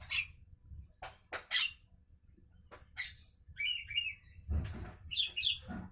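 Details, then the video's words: Morning calls of a Javan myna: harsh, rasping broadband bursts, then short whistled notes wavering near the upper middle range, with faint low rumble throughout. "Burung jalak kebo pagi Hari"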